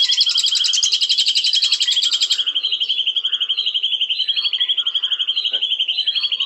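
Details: White-rumped shama song starting with a loud buzzy high trill, then a steady pulsing rattle on one pitch lasting several seconds, with soft chirps around it.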